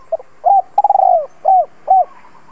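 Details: Spotted dove used as a decoy, calling to lure wild doves in: a faint double note, then a rough, stuttering long coo followed by two clear, soft, falling coos in one phrase, in a quiet setting.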